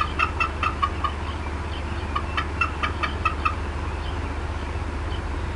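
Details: Female bald eagle at the Decorah North nest, 18 April 2016, 4:23 PM CDT, upset and clucking: two clusters of short, slightly hoarse chip notes, the second after a brief pause, above a low steady rumble.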